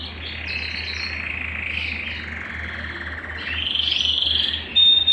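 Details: Belgian canary song meant to warm up a cold canary: soft, smeared warbling trills that swell into a louder high rolling phrase near the end, with a low constant hum underneath.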